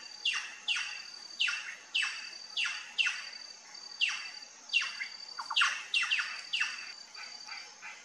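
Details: Plush-crested jay (Cyanocorax chrysops) at a feeder giving a rapid series of loud, steeply falling calls, about two per second, over a thin, steady high-pitched whine.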